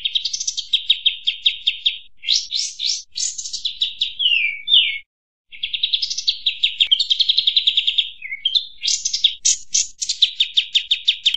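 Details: Sooty-headed bulbul lure recording, used to attract birds, giving busy, rapid chattering runs of high, buzzy notes, nearly nonstop apart from one brief silence midway; no other sounds.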